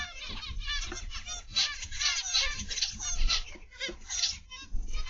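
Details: Zebra finches in an aviary, a dense chorus of many birds giving short nasal chirps and squeaky notes that overlap continuously, with soft low thumps and rustling underneath.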